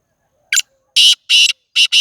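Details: Black francolin calling in Sindh, Pakistan: a short harsh burst followed by three longer grating, rasping notes, loud and broadband, the last note split in two, in under two seconds with silence between.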